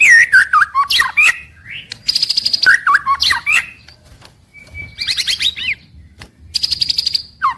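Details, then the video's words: Daily white-rumped shama song meant to spur birds to sing all day: rich warbled whistles, short pauses, then bursts of dense high buzzy trills and a thin steady whistle, delivered in separate varied phrases. "Suara Harian Paling Stabil untuk Murai Batu"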